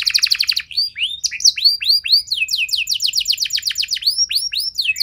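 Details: Canary song played to get other canaries to respond and sing long. A brief rapid trill gives way to a steady series of looping, rising-then-falling whistled notes, about four per second.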